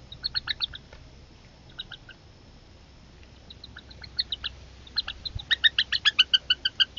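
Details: Northern Harrier young during a family feeding, the mother dropping prey as siblings squabble aggressively over it. Brief clusters of sharp notes build into a steady, loud series of evenly spaced squeals at the end.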